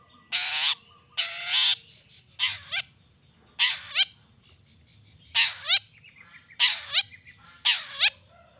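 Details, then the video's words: Long-tailed shrike calling to provoke rival shrikes into replying: two long grating screeches, then paired harsh, buzzy bursts with sliding overtones, spaced about a second apart, over faint low hum. "Cendet Gacor Pagi Siang Sore...Merangsang Emosi Cendet Manapun Agar Cepat Nyaut Emosi Dan Ikut Bunyi"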